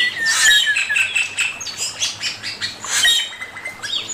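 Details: Master song of a male Chinese hwamei: dense, continuous chattering and whistled notes, rapid and varied, rising and falling in quick repeated bursts.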